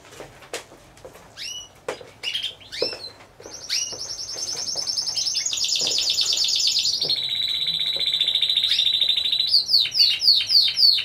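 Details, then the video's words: At a 2015 Timbrado Español canary contest, team category C1, scattered sharp chips and short rising calls lead into a long, steady, rapid trill that drops to a lower roll, then ends in quick sweeping notes. "Καναρινιών Φωνής Timbrado Español"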